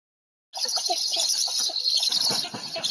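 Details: After a half-second of silence, a Black stork at afternoon feeding breaks into loud, airy, rattling hisses. Recorded in Łódź on 20 July 2020.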